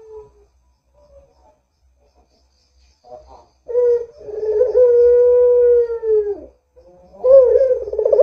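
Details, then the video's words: Barbary dove calling, played as a lure to make other doves sound off: after near-silence with faint notes comes a long, steady, level coo of about three seconds, then a rough rolling purr. "Suara Burung PUTER Gacor ini Paling Ampuh Untuk PANCINGAN Puter Agar BUNYI"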